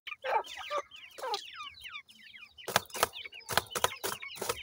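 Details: Young francolin chicks, 28 days old, feed in a yard. A run of thin downslurred peeping notes comes first, then loud percussive pecking clicks take over.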